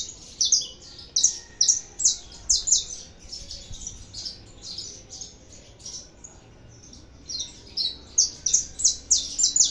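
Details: Saffron finch, the Brazilian canário da terra, in full song: bursts of sharp, high, metallic chirps in quick series, a brief lull midway, then a renewed rapid string of notes.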